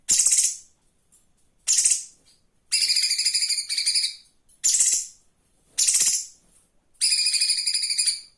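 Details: Live flowerpecker master for cage-bird training: short, harsh, high chattering bursts alternating with longer, buzzy, pulsed trills, about seven phrases with short pauses between them.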